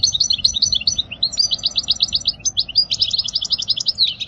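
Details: European goldfinch song used for teaching young goldfinches: a fast, continuous run of high twittering, tinkling notes and short trills with liquid buzzy phrases, steady and unbroken throughout.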